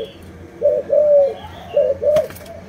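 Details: Malaysian-strain spotted dove giving two pairs of soft, low coos, the second pair separated by a sharp click, with a faint high whistle early on.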